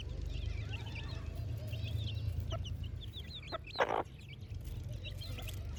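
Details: Baby chicks playing, giving many thin, high, downslurred peeps in a steady scattered chorus over a constant low hum, with a brief rustling thump near the end.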